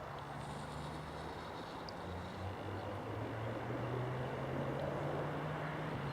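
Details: Low engine hum and road rumble from passing traffic on a countryside walk between Leagrave and Harlington, with no animal calls.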